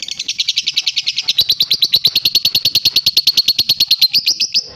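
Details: Young lovebird singing actively: a fast, shrill, buzzy chattering trill of rapidly pulsed notes running steadily for nearly five seconds, ending in a drawn-out high squeal.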